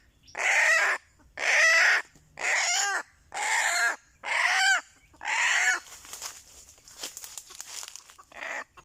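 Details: Red junglefowl lured with a decoy, giving six loud, harsh, harmonic bursts, each about a second long and evenly spaced, followed by fainter scratchy rustling sounds.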